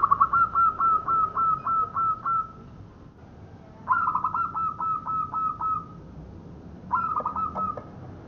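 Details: Local zebra dove, its voice offered as a lure for bird trapping: three bouts of rapid, bubbling trilled coos, each bout a string of about eight quick notes, with quiet pauses between.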